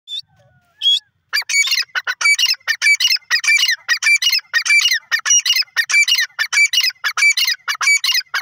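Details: Grey francolin calling: a fast, loud series of harsh, high, clipped notes repeated rhythmically about one and a half times a second for several seconds, after a couple of brief isolated notes at the start.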